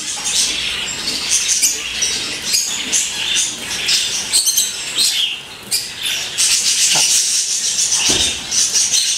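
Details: Hand-tame peach-faced lovebird giving a steady run of high, shrill, scratchy chirps and squeaks, packed close together, with fluttering and rustling close to the microphone; Rosy-faced lovebird.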